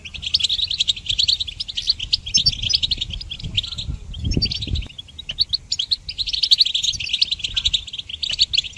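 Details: Goldfinch song used to train songbirds: sparkling rapid chatter and trilled notes in two bursts separated by a brief lull near 5 seconds, with a dull low thump in the middle.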